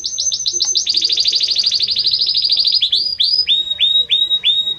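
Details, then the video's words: Belgian canary in strong, warm song: a dense, rapid rolling trill runs on for several seconds, then breaks into slower, clear whistled notes, each rising slightly and repeated evenly. "Canto forte e muito quente deste Espetacular Canário Belga | Canary Singing"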